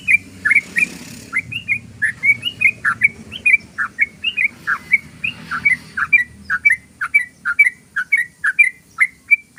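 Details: Yellow-vented bulbul giving fast 'ropel' chatter meant to lure birds in: a long, unbroken series of sharp, bubbly, downslurred notes, about three per second, clear and loud against a quiet background.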